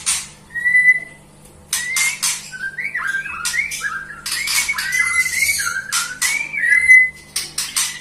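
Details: White-rumped shama singing a varied series of looping whistled phrases mixed with sharp, harsh rasping bursts and clicks, the whistles wavering up and down over several seconds.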